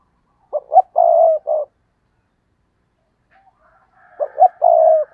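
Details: Spotted dove kept as a decoy, cooing in the stuttering style used to rouse rival doves. Two phrases, each with short jerky lead-in notes and then a long, even, hollow coo, with faint higher sounds before the second.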